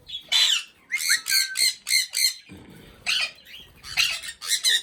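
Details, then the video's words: Indian ringneck parrot uttering a string of rough, rhythmic speech-like squawks, about one every half second, with a brief lull of low rustling midway. "Raw Parrot talking"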